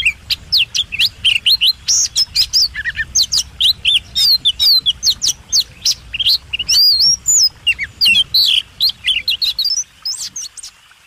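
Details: Contest-bird master song by a White-rumped shama (kacer): a continuous run of rapid, sharply slurred whistles and clicks, fading at the end, with a low background hum.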